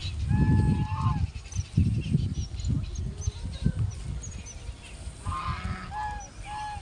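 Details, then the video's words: Geese give a few nasal, harmonic honks, one early and a quick run of three near the end, over a heavy rumble of wind. "GOOSE SOUNDS"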